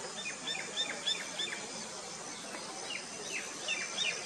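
A young bronze-winged jacana gives thin, high peeps, several a second in loose runs, over a steady hiss of background noise.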